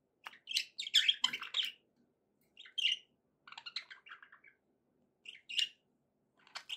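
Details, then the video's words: Budgerigars chattering in quick bursts of scratchy, warbled chirps, pausing between phrases, with short squeaky notes toward the end; quiet indoor setting. "budgie sounds to encourage your parrot to eat and sing"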